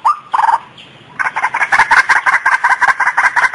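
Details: White-breasted waterhen call used as a lure: a few short nasal notes, then a fast run of rhythmic croaking pulses, about three per second, steady and loud.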